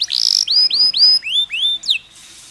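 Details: Canary song used as a stimulus for other canaries, a long song with pauses: loud, clear upward-sweeping whistled notes near high pitch, a run of repeated rising slurs followed by a sharp falling note, then a brief pause with faint hiss.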